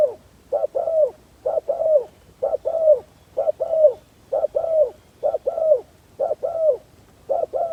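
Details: Decoy spotted dove used for luring wild doves, cooing steadily: each phrase is a brief hoot then a drawn-out descending croo, repeated roughly every second for eight phrases.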